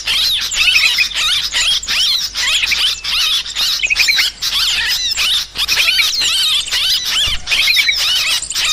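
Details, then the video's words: Sooty-headed bulbul calling noisily as a bird-trapping lure: thick chorus of warbling, chattering and squeaky notes, quick trilled runs scattered throughout, nearly unbroken sound. "Suara Trucukan Pikat Burung ribut"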